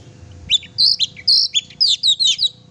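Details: Oriental magpie-robin in active song, used to rouse a pet bird: a rapid sequence of high, sharp chirps and slurred twitters, about nine notes, loud and close.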